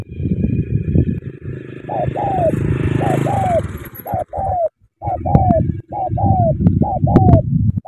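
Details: Spotted dove from Cà Mau, Vietnam, cooing in short downslurred notes, mostly in pairs, half masked by a loud engine drone and faint voices.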